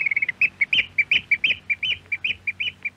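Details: Eurasian oystercatcher in Norway, archive radio recording: a rapid stutter of shrill notes followed by loud, ringing piping calls repeated about every quarter second, some notes rising and falling, clean background.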